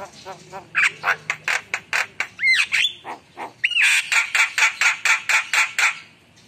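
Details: A Javan myna sings vigorously, meant to quickly provoke other birds: a rapid run of harsh, squawking notes, about two a second, broken by a couple of rising whistles midway.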